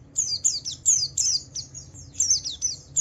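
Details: Javan white-eye singing as a lure to set other white-eyes singing: rapid bursts of very high, thin, sweeping whistled notes, several per second, over a faint low hum.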